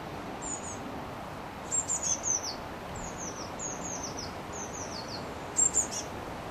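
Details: Eurasian blue tit nestlings, numbers five and six, leaving the nest box in Partille, Sweden, on 12 June 2010: thin, high, descending calls in short bursts near 1.7–2.4 and 5.6 seconds over steady background noise.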